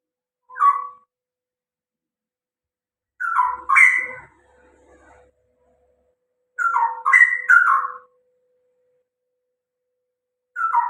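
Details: Straw-headed bulbul singing loudly: short rich, bubbling warbled phrases in a mid pitch, each of two to four rolling notes, coming in bursts a few seconds apart, with a steady low electrical hum throughout.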